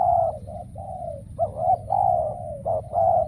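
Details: Decoy spotted dove calling at a trapping site where wild birds have become scarce; soft, hollow cooing with a few short accented notes between longer level coos, over faint low hum.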